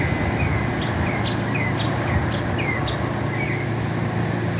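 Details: Northern mockingbird in America giving multiple different sounds: a steady series of short, downslurred whistled chirps at even intervals, about two per second, mixed with sharp ticking notes, under continuous low traffic drone.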